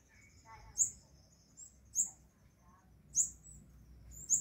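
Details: Very high, sharp sunbird chirps, spaced a little over a second apart, from a pair nesting in orchid roots on a balcony on the afternoon their baby first flew. Quiet low background hum.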